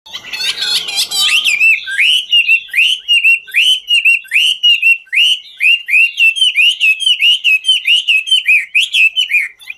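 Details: Chinese hwamei singing while dancing: harsh buzzy bursts open, then a long run of loud, rapidly repeated rising-falling whistled notes, about two per second, with sharp clicks between.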